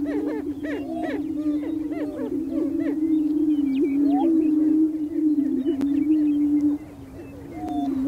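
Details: Greater prairie chickens, males gathered on a spring lek on North American prairie booming grounds, displaying to attract females: a steady low droning moan with many overlapping swooping whoops and cackles from several birds.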